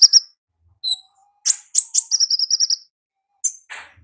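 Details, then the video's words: Olive-backed sunbird in the wild delivering ngalas song: a few high isolated chips, then a quick run of repeated piercing notes forming a short trill, ending with two sharp calls. "Suara Asli Ngalas Konin Ninja di Alam Liar"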